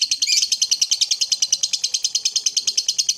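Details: Morning lovebird trill meant to spur other lovebirds to sing: rapid, even pulses of shrill chatter, roughly three per second, held throughout without pause.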